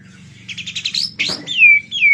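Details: White-rumped shama said to be in excessive breeding condition; a quick rattle of pulsed notes rises into a harsh burst, followed by two loud, clear, downward-sliding whistles.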